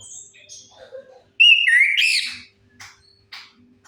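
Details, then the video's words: Orange-headed thrush song used as a lure to get silent birds singing: thin high whistles and a mix of short notes, then a loud, slurred, rising-and-falling whistled phrase followed by brief scratchy chips. "Suara pancingan AMPUH 100% untuk Anis Kembang Macet Bunyi"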